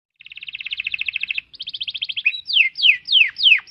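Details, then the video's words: Caged canary song used as a tutoring recording for training other birds: a long rapid trill of identical notes, a second faster trill, then a series of loud downward-sweeping whistles roughly every third of a second. "Masteran kenari extrajos"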